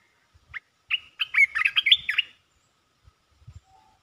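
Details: Rapid 'poet dok' song phrases from a red-whiskered bulbul: a sharp chirp, then a tumbling, musical warble lasting about a second and a half, followed by faint low knocks.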